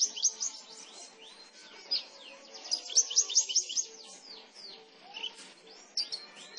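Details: Seven-month-old Javan bush lark of the parva form, obtained as a young bird in Klaten, Central Java, in full song. Rapid, varied high twitters and thin downslurred whistles, with dense bursts and brief gaps.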